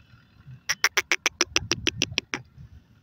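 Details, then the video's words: Partridge in grass giving a quick run of about twelve harsh, dry chuck notes, evenly spaced and slightly accelerating, over a low rumbling background. "Partridge Bird Sounds in the Grass"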